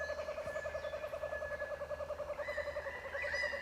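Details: Laughing kookaburras in rainforest around an off-grid treehouse cabin above water give a rapid, rolling chuckle of hooting notes, about eight a second, with a higher rising cackle near the end; a sound likened to laughing.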